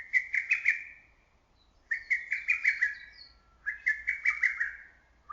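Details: Close and clear, a lesser cuckoo in early-summer woodland calls three loud phrases of five or six punchy, accented notes. The phrases come roughly every two seconds against a quiet background.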